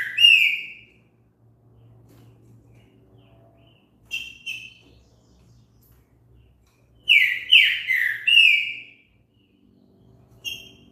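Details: Green-winged saltator singing, meant to prompt a bird to sing: a short whistled note, quiet gap, two short notes, then a rich phrase of three slurred descending whistles and a final soft note.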